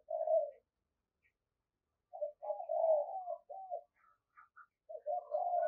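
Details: Spotted dove decoy bird heard at moderate distance with low, hollow coo phrases separated by a silent gap. Brief higher chirps of another bird appear between them.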